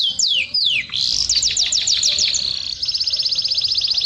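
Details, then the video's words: Mating canary from Jordan: sweeping downward whistles, then a run of quick falling notes, closing in a fast, buzzy, high trill that repeats evenly. "تغريد أجمل ألوان الكناري"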